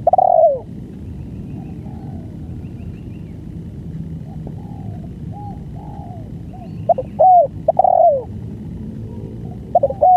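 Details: Spotted dove giving a long-duration song: soft, arched coo notes, a loud one opening the passage, fainter ones in the middle, then a cluster of strong coos near the end, over a steady low rumbling background.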